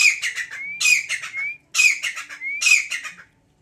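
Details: Grey francolin, also known as teetar, calling loudly: a clear rising whistle leads into a harsh, ringing burst of several rapid notes, the phrase repeated four times about every 0.9 seconds, in a quiet setting.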